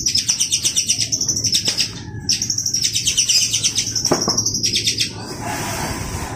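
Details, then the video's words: Long-tailed shrike singing actively: fast, high pulsed trills with a short break, then more trilling, ending in a soft rustling sound. "Burung cendet gacor"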